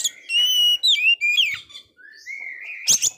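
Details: Oriental magpie-robin with a failed moult singing strongly, song aimed at rousing a low-spirited magpie-robin: a long steady whistle, quick slurred phrases, a long rising whistle, ending in a brief harsh burst.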